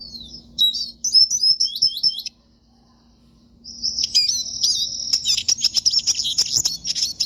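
A siskin sings rapid high twittering phrases, breaks off briefly, then resumes with a long, buzzy, wheezing warble; a faint low hum runs underneath.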